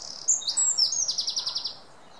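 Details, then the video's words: A short burst from a singing wren: sharp high whistles leading into a clear, evenly spaced trill of about ten notes that stops abruptly. "Wren singing"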